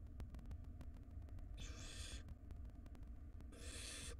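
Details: ['Wild barn owl young in a monitored nest box as their mother feeds siblings a rodent; two drawn-out, harsh hisses two seconds apart over a low rumbling hum.']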